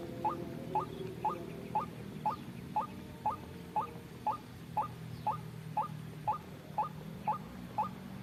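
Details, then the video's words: White-breasted waterhen (ruak-ruak) call used as a trapping lure: short upward-sliding notes repeated steadily twice a second, about sixteen in sequence, over a low humming background. "suara pikat burung ruak ruak"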